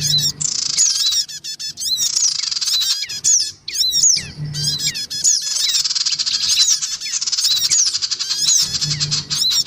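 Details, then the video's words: Black-winged cuckooshrike lure recording of a noisy pair with young: long harsh hissing squawk phrases broken by clusters of rapid, clicking chatter, repeated several times, with a low hum at intervals. "mp3 suara pikat sogon ribut. dan anak sogon"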